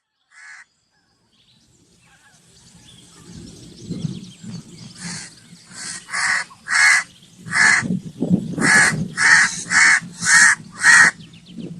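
A crow gives a run of harsh, raspy caws about twice a second, growing louder toward the end, over a low background rumble.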